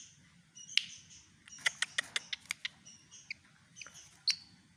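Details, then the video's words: Javan pied fantail copying white-rumped shama song: a rapid run of dry, snapping clicks and short chirps, with thin high whistles between bursts and a faint low rumble behind. "burung sikatan kipas jawa menirukan kicau murai batu"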